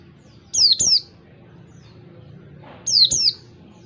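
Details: Pleci, the Oriental white-eye, giving its clear ngalas wild-type song, used to train other birds: two pairs of bright, high downslurred whistles separated by about two seconds of quiet.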